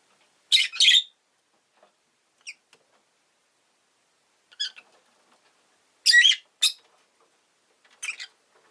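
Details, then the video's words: Rosy-faced lovebird chirping: short, shrill, harsh bursts, a quick double chirp near the start, a few faint single notes, then another loud pair and a final softer chirp, with near silence between calls. "Lovebird Chirping Sounds"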